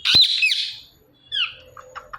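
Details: Pet rose-ringed parakeet indoors near a phone: a loud, harsh, high squawk, then a thinner descending squeal and a few soft clicks.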